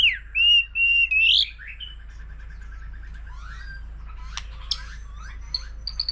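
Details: White-rumped shama, a mature forest-caught bird singing many voices in competition style: three loud pure whistles, the last sliding upward, followed by quiet fast trills and scattered high chips.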